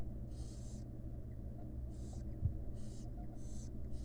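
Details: Begging calls of wild barn owl chicks fed by the mother in a camera nest box: six harsh, wheezy hisses, each under half a second, against a quiet low hum.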